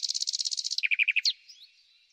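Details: Common nightingale singing in spring, a rapid high buzzing trill of about fifteen pulses dropping into five lower, fuller notes and a final rising flourish.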